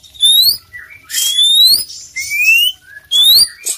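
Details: Loud full isian song from a kacer poci magpie-robin, alternating clear rising whistles, lower short whistled notes and scratchy bursts in a quick, varied sequence.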